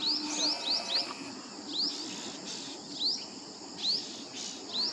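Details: Asian green bee-eater at ARAI Tekdi, Pune, gives high, thin upslurred chirps, a quick run of four then single notes every second or so, over a low background hiss.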